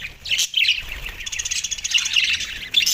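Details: Australian budgies chirping while eating soft food, recorded December 4, 2023: bright, high twittering notes in quick bursts with short squeaky chirps scattered throughout.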